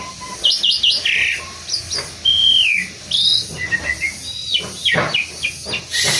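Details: Asian pied starling from Indonesia singing a varied medley of whistled rising and falling notes, a long clear slurred whistle near the middle, interspersed with harsh chattering bursts and clicks.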